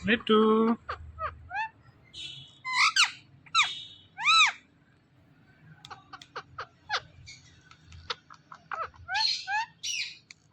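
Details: Pet rose-ringed parakeet talking: a low voiced word at the start, then scattered arching whistled syllables, short sharp clicks and chatter, and a burst of buzzy squeaky notes near the end, over a soft hum.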